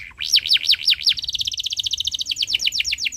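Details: Canary singing a tutor song for young canaries learning to sing, in the long chirping style: five quick looping down-slurred whistles, then a fast, even trill of bright clipped notes running to the end.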